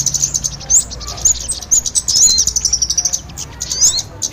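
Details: Lure recording for trapping small birds, blending kemade with sogon: busy high-pitched chattering chirps with short rising whistles, dense in the middle and thinning toward the end, over low background noise.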